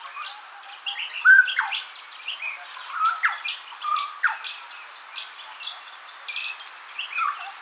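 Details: Juvenile Grey Butcherbird in a garden it holds as territory, drinking at a fountain and answering other territorial calls: clear, pure whistled notes, some gliding upward, set among scattered short chirps and clicks from the surroundings.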